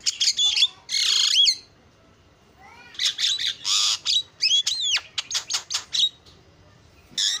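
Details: Javan myna giving a song rich in imitations: a harsh buzzy phrase, a long quiet gap, then a series of noisy rasps and sharp whistled notes in quick succession.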